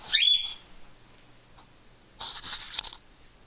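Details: Pet cockatiel indoors in Maine, one of two kept birds, calling as its owner greets it: a loud, clear whistled note with a short rising onset that levels off and fades within half a second, followed later by rustling and flapping noise.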